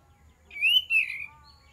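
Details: Single kapas tembak phrase used as a lure: a smooth, rising whistle that breaks briefly, then falls away in a gliding note, with a faint quiet background.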